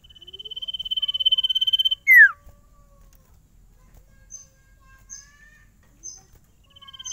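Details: Sirtu songbird, said to stay unstressed and sing straight away wherever taken, delivers a fast even trill, a loud downward whistle, then soft scattered chips and short notes before the trill resumes.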